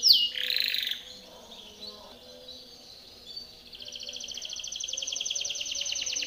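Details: Timbrado canary song used for training other canaries: one loud sharp note opens, followed by near silence with faint tones, then a rapid, steady, buzzy trill builds and continues to the end.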